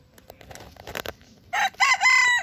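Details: A Cochin rooster in a park gives a short, harmonic crow in three quick, rising-then-level phrases, preceded by scattered rustling and faint background noise.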